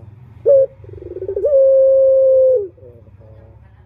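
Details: Male turtle dove lure call for males: one short sharp note, a rolling trill rising into a long flat coo that bends down at the end, then faint wavering notes.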